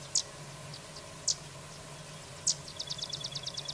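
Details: Three separate, piercing high chips from a carrizalero, spaced roughly a second apart, lead into a rapid, buzzy trill of evenly repeated notes; faint background hum throughout.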